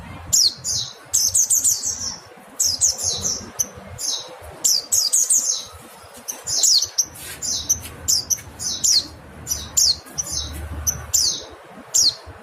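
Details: Busy stream of high, twittering mountain white-eye chirps, many falling notes strung closely together in bursts across the recording, with faint low rumble behind.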